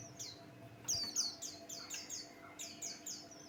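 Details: Buxtoni white-eye song, used as a lure to provoke other birds to sing: rapid high, thin, slurred descending whistles tumbling one after another in quick bursts, with a faint steady hum underneath.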